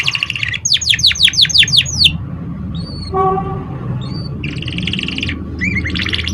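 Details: Canary song used as a lure to stimulate young canaries to sing: buzzy rolled trills, then a run of about eight fast descending whistled sweeps, short nasal notes and more rolls, over a steady low hum.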